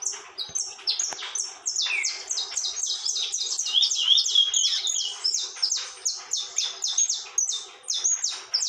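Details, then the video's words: Canário-da-terra, the saffron finch, singing without pause: a dense, fast run of high, clipped, descending chips, roughly three or four per second, forming long excited phrases in bursts. "Canário da Terra TORMENTO canta sem parar"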